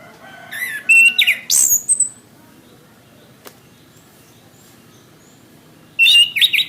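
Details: Orange-headed thrush song for training caged birds: a burst of rapid, varied whistles and high squeaky flourishes, a quiet pause of several seconds with a faint click, then another loud run of warbled notes.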